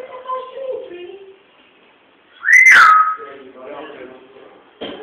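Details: A talking parrot gives a single strong whistle, rising briefly and then gliding downward, between softer chattering, speech-like vocal sounds indoors.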